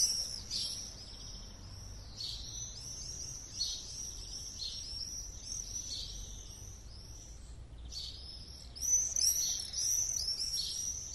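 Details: Common house martin song: a continuous high twittering of quick chirps and buzzy trills, dense and uneven, with brief pauses and a brighter burst near the end over faint low background rumble.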